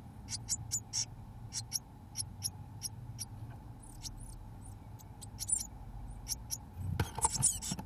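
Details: Seventeen-day-old Eurasian blue tit chicks in a nest box, fed mealworms by both parents; thin, very high squeaky calls in short irregular bursts, over a steady low hum, with rustling near the end.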